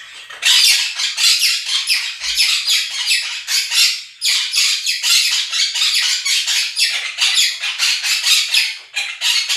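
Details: Two pet Quaker parrots (monk parakeets) indoors, loudly screaming while a recording of a chirping, singing budgie flock plays. Dense, harsh, raspy squawks pour out almost without pause, in rough rhythmic bursts, dropping briefly near four and nine seconds.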